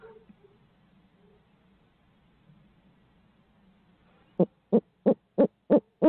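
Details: Barred owl in Midtown Tulsa on a live camera feed: after about four seconds of quiet low hum, a quick run of six loud, even hoots, roughly three per second, starts abruptly and continues to the end.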